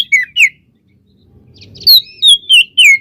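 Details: White-rumped shama singing to spur other shamas on: two slurred whistles, a short gap with faint low rumble, then four clear, downward-sliding whistled notes about every third of a second.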